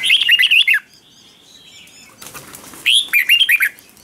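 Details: Red-whiskered bulbul singing in the morning, 'ché' style training song: a quick burst of loud warbled notes, a thin faint whistle and a rushing flutter-like noise, then another lively warbled phrase.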